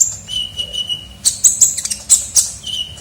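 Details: Brown-throated sunbird (kolibri ninja) lure call, singing vigorously: a long thin high whistle held steady, then bursts of sharp very high chirps and a second steady whistle near the end.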